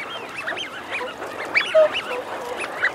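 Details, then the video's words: Wigeon of both sexes calling together: dense overlapping whistles and throaty growling notes merge into a continuous flock chatter, with a few brief louder whistles. "Wigeon. Calls Cu-Mcu From Males, Females Also 'Growling' Mcu-Cu, Calls From Whoop"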